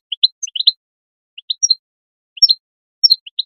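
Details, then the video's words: European goldfinch giving call notes to spur other goldfinches into song: sparse groups of two or three sharp, tinkling chirps separated by short silences, each group opening with a higher whistle. "chant d'appel chardonneret l أروع بتبتة لتحفيز الحسون"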